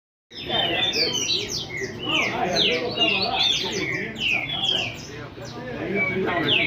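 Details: Double-collared seedeater singing his first baderna-style song, Rio de Janeiro: a fast, dense jumble of high whistled and chattering notes, rising and falling sweeps tumbling together without pause over several seconds.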